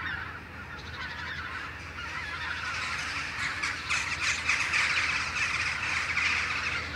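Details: Morning flock of Western jackdaws meeting after leaving their roosting trees; many clipped, scratchy calls pile up into a continuous chorus that grows louder and busier halfway through.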